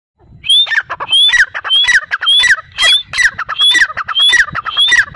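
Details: Grey francolin (Dakhni teetar) calling loudly: shrill, ringing phrases with a high whistled note and a falling slur, repeated about twice a second in a steady series.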